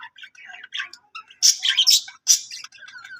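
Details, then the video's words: Soft, thin chirping from a budgie builds into loud, harsh squawking notes midway, then fades back into quieter scratchy twitters. "singing budgie budgie sounds |budgie voice Love budgie parakeets chirping sounds"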